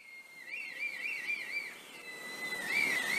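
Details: Red kite (Milvus milvus) in Galloway, Scotland, on a morning, heard before seen: a thin, wavering whistle sliding up and down in quick warbles, then a final rising note, faint outdoor background.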